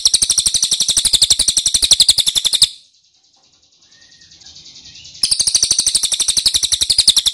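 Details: Ashy tailorbird used as a lure so wild birds answer: a sustained, very rapid, high chattering trill, broken by a quiet stretch of about two and a half seconds, then resuming just as fast.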